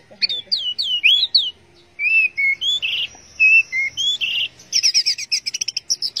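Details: Orange-headed thrush song of quick upslurred whistles and chirps, short clear notes and a long thin whistle, ending in a rapid series of high clicking notes.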